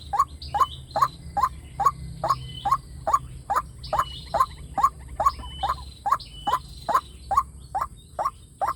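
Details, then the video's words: White-breasted waterhen lure call, used through a loudspeaker to draw wild waterhens in to fight: a steady run of about twenty short, hollow, mid-pitched notes, roughly two per second, over faint thin whistles of other birds. "tiếng chim quốc mồi dung để kep loa chim quốc rừng nghe là đá"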